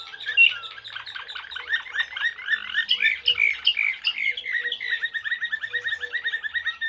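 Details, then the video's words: Blue Serbian canary of the Slavujar song type singing a varied warbling song of quick chirps and rolling trills, ending in a fast even series of repeated notes. "Serbian blue canary "Slavujar""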